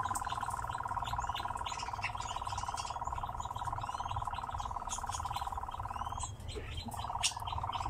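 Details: Singing and dancing nightjar in captivity: a long, monotonous, rapidly pulsed churr that stops for about half a second near the end and resumes, with scattered thin high chirps and low background noise.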